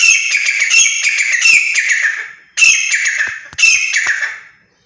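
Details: Grey partridges calling in the morning give harsh, grating, creaky calls in three bursts, the first about two seconds long and the others shorter, with overlapping voices.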